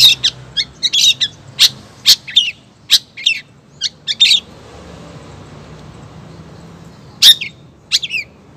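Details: Female long-tailed shrike calling the male, giving scattered sharp high chips and short harsh bursts, grouped at first, then a long quiet gap before a few more notes near the end.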